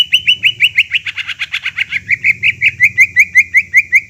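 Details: Continuous greater green leafbird song for stimulating a silent bird: steady rapid chirped notes, roughly three per second, evenly repeated throughout, with a faint low hum behind.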